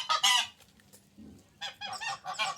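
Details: A domestic gander at a countryside residence near the Ciénaga Grande de Lorica, El Carito, Córdoba, gives loud harsh nasal honks, a pair then a rapid run of three; described as jealous over the female.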